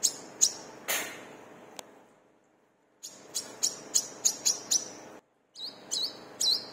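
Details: Brown-throated sunbird, a lure for caged birds to sing along; a hurried series of thin, very high ticking notes, then two lower upslurred chirps, with background hiss and brief silent breaks.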